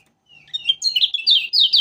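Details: Kecial kuning from Lombok, the Lemon-bellied White-eye, a diligent singer: a soft thin opening note that swells into a quick, bright twittering run of high, sliding notes.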